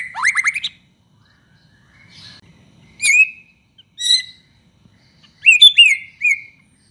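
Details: White-rumped shama song meant to set other shamas singing: a cascade of falling notes opens, followed by separate loud, clear whistled phrases spaced a second or so apart, with silence between them.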